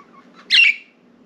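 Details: One of four pet budgies flying free outside its cage indoors, sitting on window blinds, gives a single brief, harsh squawking chirp against low room noise.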